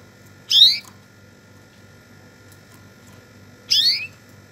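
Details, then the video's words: Canary giving two rich, rising chirps about three seconds apart, each brief and layered with overtones, over a constant faint electrical hum. "تغريد طائر الكناري"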